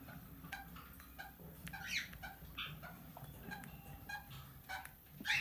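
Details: A tamed, talking Plum-headed parakeet (Psittacula cyanocephala) mimics speech in short, nasal, speech-like syllables, uttered in irregular bursts and ending in a sharper squawk, over a low background rumble.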